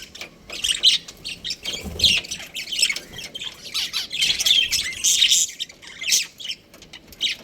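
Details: Breeding pair of budgies giving bursts of squawky chirps and scratchy warbles separated by short quieter gaps, high and excited.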